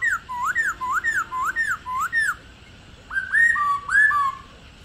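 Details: Old wild-caught female Black-throated laughingthrush with 'ro' calls for stimulating captive males: six upward-sweeping whistled notes at steady pace, a pause, then two bright descending whistled phrases.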